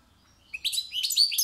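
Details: European goldfinch, locally called saka and praised as a maestro giving a concert, sings after a brief quiet start: a quick, bright burst of high twittering and chirped notes that runs on to the end.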